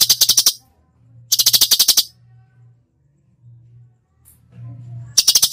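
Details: Cucak cungkok delivering 'full tembakan' song: three bursts of fast, harsh ticking rattles, the middle one longest, with quiet stretches of low hum between them.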